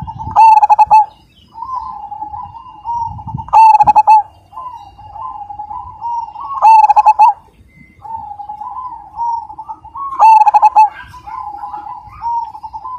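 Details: Zebra dove of the Majapahit line, praised for a big voice and strong 'kung' ending: soft, wavering mid-pitched coos broken every few seconds by a loud, throbbing burst of rapid pulsed notes, repeated four times.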